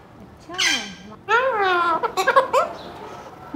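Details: Alexandrine Parakeet, seven months old, kept indoors, trying out incomplete words on waking in the morning: a wavering, voice-like note, then a longer gliding utterance and quick chattering syllables.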